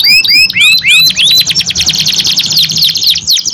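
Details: Two canaries answering each other in vigorous song; a few loud curved whistles open, giving way to a rapid, even trill of repeated notes.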